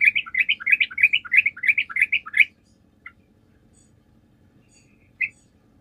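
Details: Sooty-headed bulbul in lively song played to provoke other birds into answering: a fast, bubbling stream of about fifteen warbled notes over two and a half seconds, then near silence with two isolated chirps.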